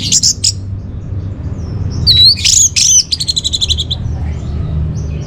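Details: Orange-headed thrush singing as a lure and tutor song for caged birds. High chirps lead into a sweet slurred whistle, then a fast buzzy run of repeated notes that fades out, with soft low rumble behind.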